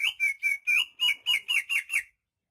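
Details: Greater green leafbird of Banyuwangi stock, a rare native bird in energetic song: a steady run of nine bright, sweet chirped notes, evenly spaced about four per second, then silence.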